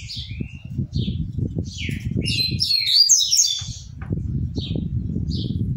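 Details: Captive double-collared seedeater singing as it changes perches: short high chirps and a slurred whistle, then a rich, rapid burst of varied twittering notes midway, over steady low thudding from movement in the cage.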